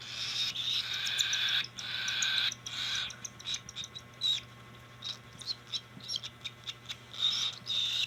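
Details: Cockatiel during hand feeding, with long harsh rasping begging calls at the start, then softer intermittent ticks and short rasps.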